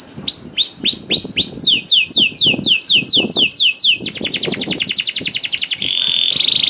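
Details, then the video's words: Canary singing continuously to stir other canaries into song: upswept whistles, a quicker series of falling slurs, a rapid even trill, and a final flat buzzing roll. "KENARI GACOR DOR INI MEMANCING KENARI YANG SUSAH BUNYI JADI IKUT GACOR"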